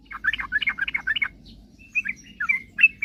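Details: Yellow-vented bulbul in vigorous song, used to goad rivals into singing: a rapid burst of bubbly chattering notes, then a few thinner, drawn-out whistled chirps.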